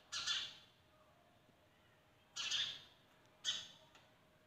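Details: Sparrows at a window in the morning sunlight giving harsh, scratchy chirps in short bursts, three or four over a few seconds, with quiet pauses between them.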